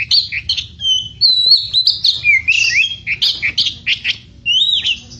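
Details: Oriental magpie-robin in frantic edan-style song: a rich, fast run of loud whistled and slurred notes, rising and falling, broken by brief pauses, with a faint low hum underneath.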